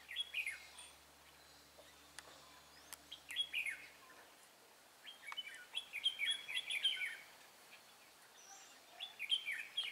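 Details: Wild red-whiskered bulbul giving fast, heated fighting song while being trapped with a decoy bird, 23 March 2018, Vietnam; clear whistled bursts of rapid warbling notes in phrases separated by short pauses, a few sharp clicks between.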